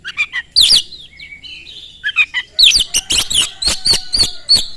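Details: Oriental magpie-robin song used as a lure to provoke other magpie-robins into singing: loud, high, rapid whistles and sharp chattering notes, with short sweeping phrases and bursts of clipped notes repeated in quick succession.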